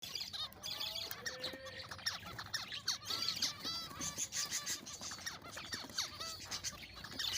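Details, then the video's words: Zebra finches in a small breeding colony of six pairs, including black and fawn birds, courting on December 4, 2022; dense overlapping chirps and short nasal, harmonic-rich beeps from many birds at once, with continuous busy chatter throughout. "birds making a cute sounds/finche meeting/finches making love"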